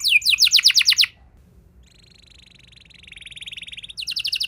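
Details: Canary song used to stir rival canaries: a loud rapid trill of bright notes, a pause, then a softer low rattling trill building in volume before another loud fast trill.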